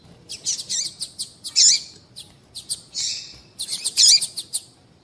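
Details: Calls of a female double-collared seedeater, used to stimulate males into song. A fast patter of thin ticks mixes with a few louder, twisting chirps and one short harsh buzz, all high-pitched with quiet gaps between.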